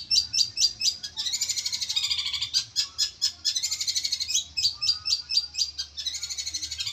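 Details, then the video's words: Long-tailed Shrike kept for songbird contests, a repeated district and national champion: high, sharp notes in quick rattling trills, about two bursts a second, alternating with brief pauses and a few single chips. "cendet slalu juara d tingkat kabupaten dan nasional"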